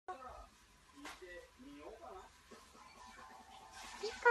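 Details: A pet Eclectus parrot named Pika sings its 'Pi Ka Boo' song in a sing-song, speech-like voice, its syllables rising and falling in short bursts, ending on a louder high note.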